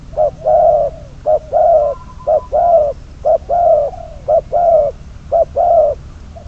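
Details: Spotted dove decoy, bird number 22, used in trapping, gives loud clear coo pairs: a short note followed by a drawn-out coo with a slight downward tail, six pairs evenly spaced.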